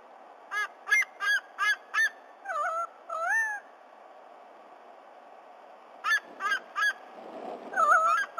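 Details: Black currawong visiting a White-bellied Sea-Eagle nest in Sydney Olympic Park, Australia, at 11:55 a.m. on 26 October 2020, vocalizing with the eagle chick: bursts of short harmonic yelps, then drawn-out wavering cries, pause, more yelps.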